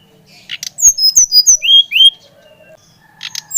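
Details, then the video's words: Bali brown-chested jungle flycatcher, used to stimulate other birds to sing: brief clicks, then a series of whistled notes falling in pitch, ending with two rising-then-falling slurs. "Kicauan SRDC Bali Gacor Merangsang srdc Bahan agar cepat Ngeplong Gacor"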